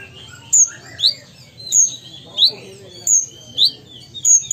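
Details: Ruby-cheeked sunbird, a kept songbird from Sumatra in active song: thin high whistled notes near the top of the range alternating with short rising slurs, phrases about every second, steady low background hum.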